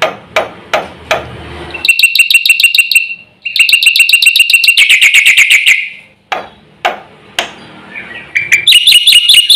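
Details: Javan pied starling in full, varied song said to agitate other birds: sharp knocks and clicks first, then bursts of rapid, harsh, buzzy repeated notes, each burst a few seconds long, with short pauses between bursts.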